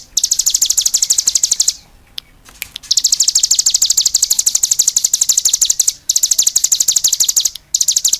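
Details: Energetic cigun song: a bright, buzzy high trill of quick repeated notes, broken by short gaps and a few isolated ticks, restarting several times.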